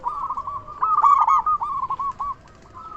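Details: Local zebra dove with a loud voice, kept to lure other zebra doves into calling back; soft trilled coos build into a louder burst of quick accented notes, then fade into a quieter rolling tail.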